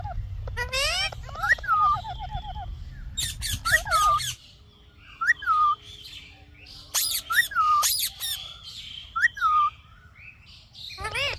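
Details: Indian ringneck parakeet giving loud harsh squawks and repeated slurred whistles that rise then fall, in bursts separated by short pauses, with low hum at start and end.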